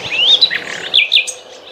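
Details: Morning birdsong on a riverbank among poplar groves: bright, high twittering trills, a quick run of rising and slurred chirps with a soft background hiss.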